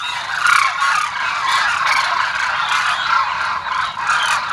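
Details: A large flock of Demoiselle cranes lands on a feeding ground at Kheechan, Jodhpur, Rajasthan, keeping up a dense, unbroken din of harsh, rolling, trumpet-like calls, many birds calling over one another at mid pitch.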